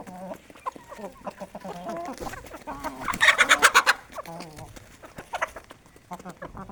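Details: Aseel hens on a village chicken farm during morning feeding on traditional desi grain; steady low clucks roughly three per second, interrupted midway by a loud burst of harsh, rapid, pulsing squawks lasting about a second.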